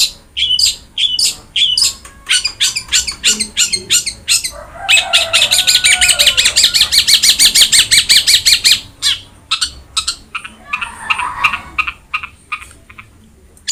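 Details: Long-tailed shrike tutor song for quiet birds: rapid high chirps speed into a fast dense rattle in the middle, then slow back to spaced notes, with a softer twittering burst near the end.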